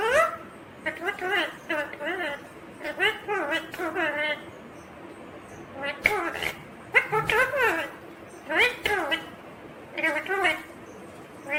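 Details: Green ringneck parrot chattering in a long run of rapid, syllable-like speech sounds, with wavering voiced tones and short gaps between bursts.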